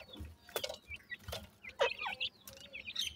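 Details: Several young francolins feed and play at evening, giving brief thin chirps and rising peeps at scattered intervals between loud clicking knocks.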